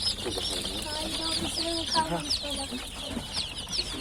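Newly hatched chicks peep steadily, a chorus of high, thin, downslurred cheeps, several each second, with a person talking quietly underneath.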